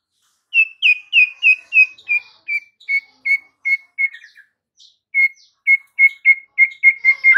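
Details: White-rumped shama used as master song for silent caged shamas: a steady series of short whistled notes repeated about three per second, a brief pause, then the series resumes.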